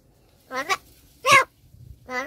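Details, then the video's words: Talking crow uttering Marathi words, Palghar: three short harsh, speech-like syllables with stacked harmonics, a paired burst, then a louder single one and a final wavering note, quiet between them. "बोलणारा कावळा"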